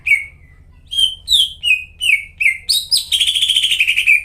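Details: Lure song of a vigorously singing greater green leafbird for coaxing silent caged birds: spaced, downward-sliding whistles roughly two a second, then a fast rattling trill to the end.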